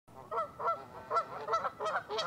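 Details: Canada geese on Lacamas Lake, Washington, USA, on a February morning in 2012, giving nasal honks in a quick run of about seven calls, growing busier toward the end.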